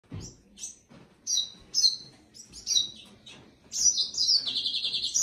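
A red siskin sings a quick run of high, thin twittering notes that builds into a rapid, sustained buzzy trill near the end.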